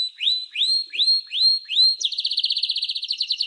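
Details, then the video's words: Canary singing five clear upswept whistled notes about half a second apart, then breaking into a fast, buzzy high trill. "Canary-Canario Singing 2017(Kanarya Ötümü)"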